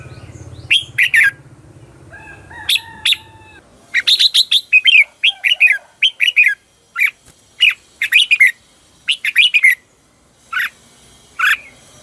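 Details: Red-whiskered bulbul lure song in fighting style, meant to excite other bulbuls into singing. A lively, dense series of sharp chirps and quick double and triple notes runs almost continuously, with brief low hum early on.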